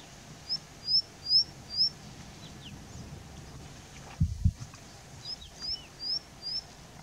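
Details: Indian bushlark calling and singing from a rock at Jayamangali, India: thin, high, upslurred whistles, four in quick succession, a pause, then four more. A low thump breaks in midway over faint background noise.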